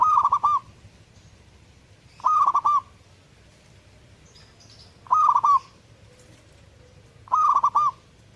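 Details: Zebra dove giving four rolling coo phrases, each a quick run of fluttering notes, spaced about two to three seconds apart; soft high chirps from other birds occur between them.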